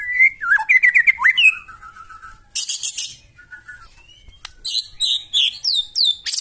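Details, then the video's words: Loud White-rumped shama song used to provoke other birds into singing, mixing rich rising and falling whistles, a fast stuttering trill, harsh high buzzy bursts and short sharp high notes repeated in quick succession. "KICAUAN MURAI BATU NEMBAK KASAR AUTO NGAMUK SEKALI DENGAR LANGSUNG NYAUT"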